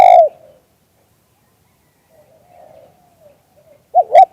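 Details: Spotted dove cooing in the lûu-tan style, recorded live in Full HD: one loud rolling coo at the start, a faint low murmur, then a paired clipped coo near the end, separated by quiet gaps.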